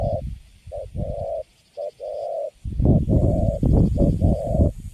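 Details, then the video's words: Young spotted dove, wild-caught and held in a cage, giving Cấn Sấm coos, short and long notes in pairs, partly covered later by loud low thumping and rustling. "Thổ tơ Cấn Sấm, Bắt về cho vô lòng là đứng im ru. Nước Gù khá là Tốt."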